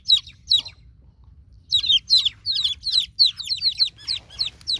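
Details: Newborn domestic chicks calling for a broody hen: two lone peeps, a pause, then a lively run of overlapping shrill descending cheeps over a faint low hum.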